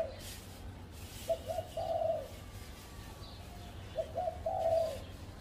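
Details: Spotted dove perched on a tree at home, giving two low cooing phrases. Each phrase opens with two or three short coos and ends in a longer, drawn-out coo, about three seconds apart, over a steady low background hum.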